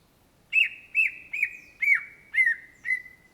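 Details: Six emphatic whistled notes with down-curving tails come from a greater green leafbird (Chloropsis sonnerati), the Indonesian cucak ijo. They repeat about every half second above a sustained tone that slowly fades.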